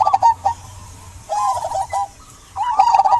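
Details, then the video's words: Local zebra dove in full, lively song, used to prompt silent doves to sing: short bursts of rapid, bubbly cooing notes, separated by brief pauses, over a faint low hum and scattered high clicks. "Perkutut lokal gacor buat pancingan perkutut pendiam agar bunyi"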